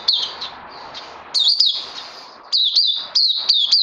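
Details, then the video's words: Caged oriental white-eye singing in bursts of high, sharp twittering notes separated by brief gaps, over a faint background hiss. "Puteh Crazy LG"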